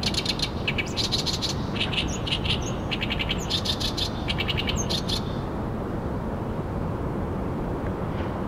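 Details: An oriental reed warbler on the Arakawa River bank in Tokyo pours out harsh, rasping, rapidly repeated notes for about five seconds before stopping abruptly. Low, steady rumbling noise continues underneath throughout.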